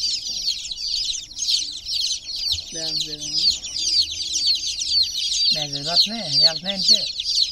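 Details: High, rapid cheeping from many chicken chicks in a water pool runs throughout, while a person speaks in two short phrases underneath.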